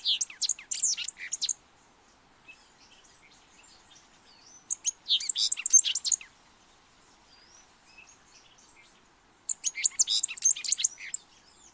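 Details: Thick-billed Euphonia (fruterito picudo) song from Colombia, used for calling birds: three bouts of rapid, varied, chattering high notes, each about two seconds long, separated by quiet pauses.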